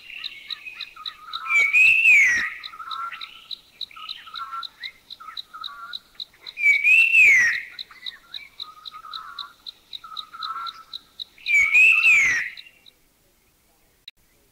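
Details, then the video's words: Puff-throated Babbler from Thailand giving its normal three-tone whistle, a clear rising-falling whistled phrase repeated about every five seconds, three times, with softer churring and chuckling notes from the same species between phrases. "44, the puff-throated babbler. He has his normal three-tone whistle, and"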